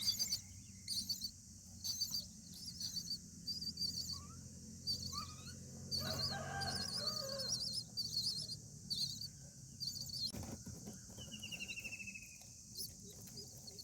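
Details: Common Myna parent at a nest on day 8 of feeding chicks, said to fight nest bugs, giving scattered harsh, gurgling notes, a few short whistles and a buzzy descending trill, over a steady high insect drone and low rumble.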